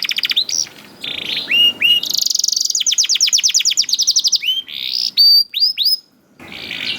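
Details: Young canary song for prompting reluctant canaries to sing; rising whistled notes, a long buzzy rapid trill, clear upslurred whistles, ending with a soft buzzy phrase.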